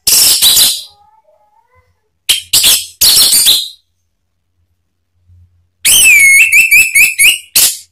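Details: Male orange-headed thrush (anis merah) in provoking song: loud, fast warbled bursts, then a run of clear whistled notes sliding down and repeating in quick succession near the end.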